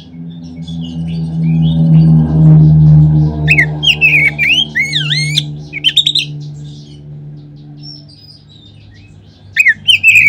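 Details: Oriental magpie-robin song used as a lure to stimulate other magpie-robins to sing. Looping whistles and sharp chips come in short bursts. A loud, steady low drone dominates the first half.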